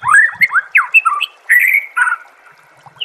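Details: Caged white-rumped shama song from a master recording used to train songbirds: rich varied whistled phrases, rising and falling slurs between bursts of short notes, with brief pauses.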